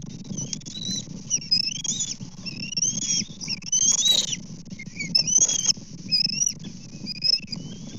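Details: Bald eagles at a Kansas nest on 24 May 2024, during fish deliveries, feeding and a fish theft among young, give thin, high, squealing whistles in quick repeated bursts, some sliding up and down, over a low steady rumble of wind.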